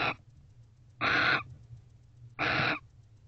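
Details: Barn owl pair at a nest box before dawn on November 29, just after mating, the male leaving immediately; two loud, harsh, hissing screeches roughly 1.4 seconds apart over a low hum.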